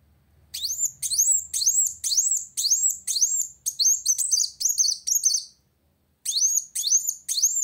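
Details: Olive-backed sunbird singing to challenge a rival: high, bright rising-then-falling notes repeated about twice per second in a steady series, a shift to faster buzzy notes, a short pause, then the rising notes resume.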